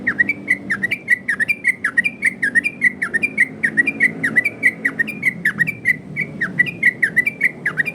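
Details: 'Ropel' variation song of a yellow-vented bulbul, loud and clear, used as a lure and training song. Fast, regular run of swooping whistled notes, close to two per second, over faint low background rumble.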